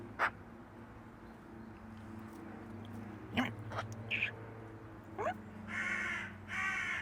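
Crows give about six harsh, raspy caws at uneven intervals, a few drawn out and grating, over a steady low hum in the background.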